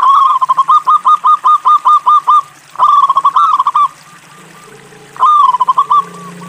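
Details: Energetic local zebra dove song, used to lure other doves into singing. A fast string of clipped coo notes leads into slurred, rolling phrases, then a pause and one more trilled phrase. A faint low hum lies underneath.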